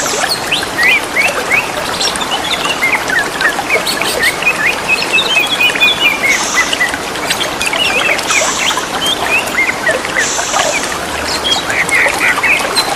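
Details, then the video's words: Wild greater green leafbirds singing back and forth near running water, a stream of brief whistled slurs and chirps, some rising, others falling, over constant splashing water noise. "Burung Cucak ijo sahut sahutan di alam dengan gemericik air"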